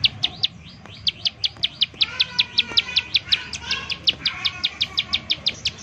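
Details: Rapid 'nembak' calling of a bar-winged prinia, played as a lure so other prinias start singing: crisp high ticks in a fast, even series, with a soft lower chattering note mid-way and light background noise.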